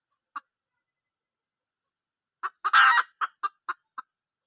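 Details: Junglefowl hen, wild, recorded in 2022: one short cluck, a pause, then clucks leading into a loud, harsh, drawn-out squawk, followed by four sharp clucks at quickening intervals.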